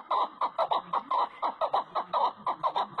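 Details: Chukar partridge, Pakistan's national bird, gives a fast, steady run of hoarse, clucking 'chuck' notes, about five a second, mid-pitched and slightly nasal.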